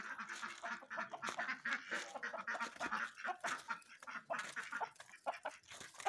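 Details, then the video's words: Several ducks playing in snow quack in a busy, overlapping chatter, short nasal calls tumbling over one another throughout, with human laughter. "Duck Sounds"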